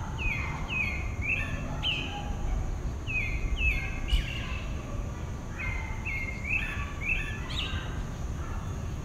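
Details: Dawn song of a single pale-breasted thrush in southeastern Brazil: short, clear whistled phrases that slur and bend, repeated in quick succession with brief pauses, over a steady low rumble of background noise.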